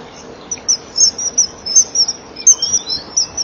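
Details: Male and female Eurasian kestrel on a nest box perch at 07:19 on 12 March 2015, chipping at each other before a mating attempt: rapid, very high thin chips in quick irregular bursts, filmed by a nest box camera.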